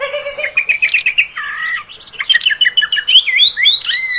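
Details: Female oriental magpie-robin sound for provoking males: rich warbling whistles, a short trill and a lower slurred note, leading into rising and falling looping phrases.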